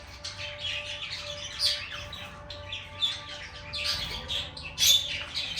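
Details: Lovebird chirping: scattered squeaky, rasping high notes over a steady low electrical hum, louder bursts near the end.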